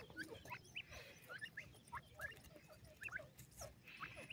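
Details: Three-month-old grey francolin chick giving soft, rising chirped notes in a quick, uneven series of about three per second, faint against a low background hiss.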